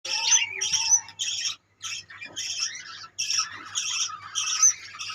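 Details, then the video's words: Budgerigars in a colony, many birds calling at once: overlapping squawky chirps and chatter, bursts roughly every half second with brief pauses, and a faint steady low hum beneath. "budgeis birds colony"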